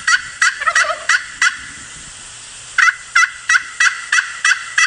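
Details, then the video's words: A turkey gobbles in rapid, rattling bursts, about three per second, with a short pause in the middle; a brief lower squeak is also heard. "Turkey sound"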